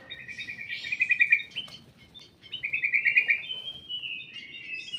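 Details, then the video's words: Caged ruby-throated bulbul in a private aviary: two bursts of fast, rattling trilled whistles separated by a brief pause, then a steadier sliding whistle, with faint low rustling behind. "BURUNG KUTILANG EMAS DI DALAM AVIARY PRIBADI"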